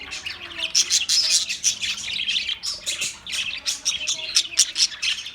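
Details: Australian parrots chirping: dense, continuous high twittering with sharp bright chirps overlapping throughout, several birds calling at once, no other clear sounds.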